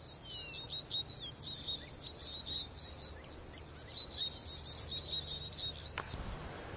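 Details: Dickcissels, friends and mating pairs perching at Island Mound State Historic Site, Bates County, Missouri: a busy run of short, high chirps and twitters, with a thin steady high tone, a soft thump near six seconds and a low background rumble.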